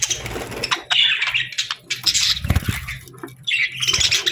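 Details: Parakeets chirping in summer with scratchy squeaks and short warbles, mixed with fluttering rustles and a few low thumps.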